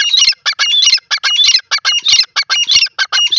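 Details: Grey francolin recorded in India: a loud, rapid run of harsh, squawking notes in tight bursts, several per second, each broken by short gaps, close and clear with no other sounds.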